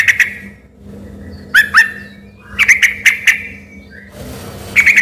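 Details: Sooty-headed bulbul singing vigorously, a song local people took for a white-rumped shama: scattered loud, sharp chirps in pairs and small clusters separated by quiet gaps, over a constant low electrical hum.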